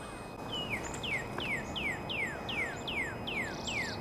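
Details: Northern cardinal singing in April: a steady run of about nine clear, down-slurred whistles, each falling sharply from high to lower pitch, spaced roughly a third of a second apart, over faint background hiss.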